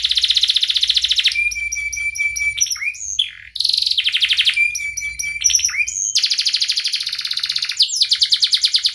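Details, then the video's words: Canary song used to teach young birds: a fast buzzy trill, a long thin steady whistle under clicking notes, upward swoops, then more rapid rolling trills that pulse quickly and evenly. "kenari gacor panjang Cuit Cuit EMOSI, Pancingan Kenari Paud Belajar Bunyi"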